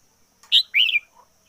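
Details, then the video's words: Caged decoy red-whiskered bulbul singing with full intensity, 2021: two loud, brief whistled notes, the second a slurred, warbling phrase, followed by a faint low note; a steady thin high hiss underneath. "Chim chào mào mồi hót căng lửa nhất 2021"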